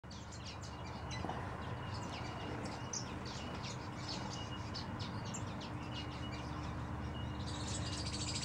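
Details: A scarlet honeyeater resting in an aviary gives quick, high, tinkling chirps in rapid irregular bursts over a steady low hum.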